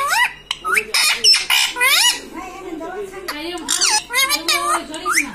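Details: Talking pet ringneck parrot, words "mummy papa"; dense run of squawky, harmonic syllables with swooping pitch, interleaved with lower voice-like tones throughout.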